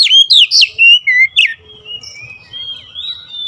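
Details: Oriental magpie-robin (kacer) in agitated, fierce singing: a rapid run of loud whistled and slurred notes, rising and falling sharply, then a quieter stretch of thin sustained whistles, with faint low rumble beneath.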